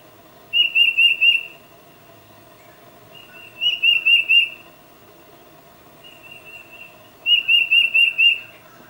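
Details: Tufted titmouse calling to its mate, filmed on a Nikon D800 with 600mm lens: three whistled phrases of four or five clear notes each, roughly every three seconds, the middle phrase softer and more drawn out.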